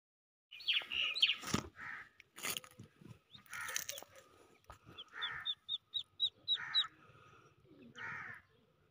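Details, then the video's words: Newly hatched Muscovy ducklings with their mother give a quick run of thin, high peeps, several a second, among louder harsh, raspy calls, possibly cawing crows. "Newly Born Moscovy Ducklings | Cute Ducklings with Mama Duck"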